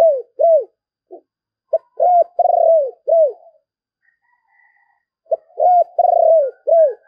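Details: Decoy spotted dove cooing over and over in the calling style. Arched hollow coos, short clipped notes and a pulsing, falling roll make up two full phrases, with a quiet gap between them.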